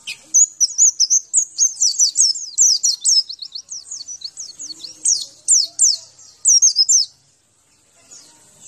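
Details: Javan white-eye training song: a long, fast outpouring of very high, zigzagging twitters and slurred chips, loud and rhythmic for about seven seconds before falling quiet.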